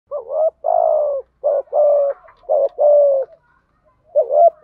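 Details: Decoy spotted dove cooing to spur wild-caught doves to call: low, smooth coos in pairs, a short hitched note then a longer falling one, repeated four times with brief pauses, no other sounds.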